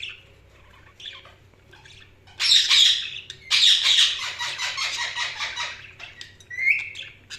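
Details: Budgerigars chirping: a quiet start with scattered notes, then from about 2.4 seconds a loud dense run of high buzzy warbling chatter that lasts to 6 seconds, closing with a short rising whistle.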